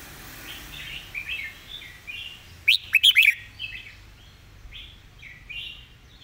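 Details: Red-whiskered bulbul master song for teaching birds: a stream of short warbled phrases, a loud cluster of sharp ringing notes near mid-phrase, then softer bubbling phrases trailing off.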